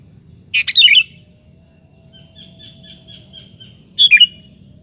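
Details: Sooty-headed bulbul singing to provoke other bulbuls to reply: a rich burst of bubbling, warbled notes, then a soft series of faint repeated whistles in the distance, and a second brief liquid phrase near the end.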